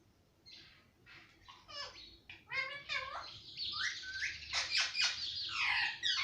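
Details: Pet parrot, said to talk and repeat words like papa, mummy and mittu, gives a run of harsh, buzzy chattering syllables that grow louder, with quick falling notes mixed into dense scratchy bursts.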